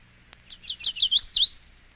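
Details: Song of a Magnolia Warbler, one of seven examples: a short run of musical, swinging whistled notes that grows louder and ends in an emphatic slurred note, all within about a second, in a quiet setting.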